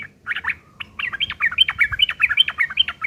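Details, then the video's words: Fast, coarse chatter from a sooty-headed bulbul singing a fighting song, used as a lure to make other bulbuls respond. After a short opening phrase, a steady string of squeaky, bouncing notes runs without a break for two seconds. "trucukan gacor TARUNG ngeriwik kasar pancingan trucukan agar bunyi"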